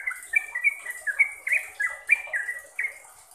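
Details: Sooty-headed bulbul whistling a trucukan phrase meant for tutoring caged birds: ringing, slightly falling notes in a steady chain, about three per second, over a light background hiss.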